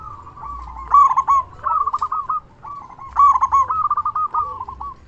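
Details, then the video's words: Zebra dove of local stock singing vigorously to make other doves answer; two long runs of rapid staccato coos, each starting with a loud rough burst and trailing into softer trilling notes. "Perkutut Lokal Gacor SUARA BESAR Ahlinya Bikin Semua Burung Perkutut Langsung Nyaut"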